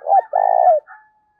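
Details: Decoy spotted dove with a 'giọng thổ' voice, kept to lure wild doves: a brief low coo, then a drawn-out throbbing coo that falls slightly at the end.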